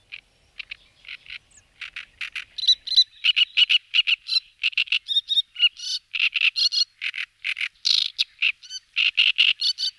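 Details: Great reed warbler (Acrocephalus arundinaceus) song in Slovakia, where it arrives in late April and breeds in reedbeds by ponds and marshes: loud, harsh, croaking and grating notes in rapid chattering, frog-like phrases, no other sounds.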